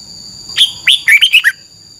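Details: Red-whiskered bulbul, Thailand, singing a short training phrase: five or six quick, bubbly whistled notes, rising then dropping, delivered in under a second over a faint steady high tone.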